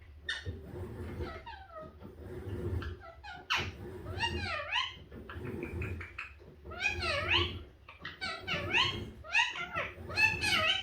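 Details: Pet green-yellow mutation Indian ringneck (rose-ringed) parakeet, very talkative, talks in bursts of squeaky, wavering, speech-like phrases rising and falling in pitch, several phrases a few seconds apart, over a low room hum.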